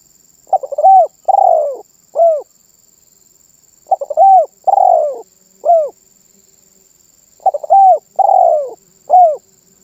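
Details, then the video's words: Spotted dove (terkukur) singing steadily, three matching phrases roughly every three and a half seconds, each stuttered notes leading into an arched coo, a long sinking coo and a short final coo; faint steady high tone throughout. "SUARA BURUNG TERKUKUR MANGGUNG GACOR MEMBUAT BURUNG LAIN IKUTAN BUNYI"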